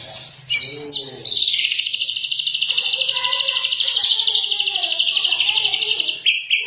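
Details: A Medan-type white-rumped shama holds a long, loud, buzzy, high trill for about five seconds, pulsing rapidly, preceded by a few lower notes and ending abruptly.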